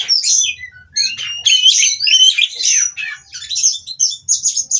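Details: Mating Oriental magpie-robin (kacer) from a captive breeding farm, a song meant to stir rivals into singing: dense, varied high warbles and slurred whistles, with brief pauses between fast scratchy phrases.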